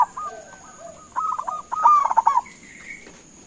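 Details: Local zebra dove (perkutut) calling to prompt other doves to answer; after a faint start, a burst of rapid stuttering, gurgling coo notes at mid pitch runs for about a second, with a soft high background hiss.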